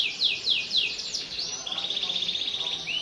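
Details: Canary singing in full voice as a lure for young canaries: a few swooping downslurred notes, then a long, rapid, buzzy rattle held at a steady high pitch.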